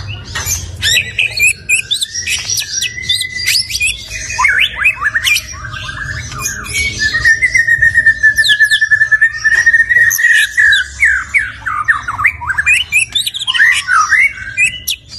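A busy jumble of sharp chirps, harsh squawks and quick up-and-down sweeps, broken midway by a long, wavering mid-pitched whistle held for several seconds.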